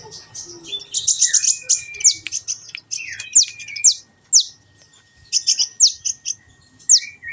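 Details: Training recording of a kolibri ninja sunbird: dense high buzzy chatter, scattered slurred whistles and sharp descending notes, separated by short pauses, with a faint steady tone in the background.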